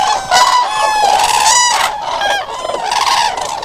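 Loud, rolling trumpeting calls from common cranes, several voices overlapping in a continuous bugling chorus with rich, harsh overtones.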